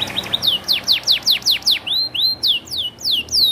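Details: Canary, a competition bird (AF class) singing in isian style, a rapid series of loud downward-sweeping whistled notes, about two per second, then rising-and-falling slurred phrases.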